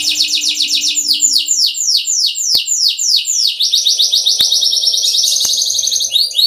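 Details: Three domestic canaries (Serinus canaria forma domestica) sing continuous rolling trills of rapid, high, downward-sweeping notes, several per second, shifting into buzzier chattering phrases, with a few sharp clicks.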